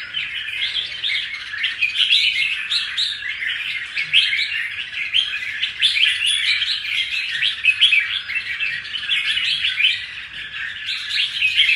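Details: A red-whiskered bulbul kept in a cage, taken from the wild and newly moulted, keeps up a lively rapid twittering song of bright clipped notes, with a short lull near the end.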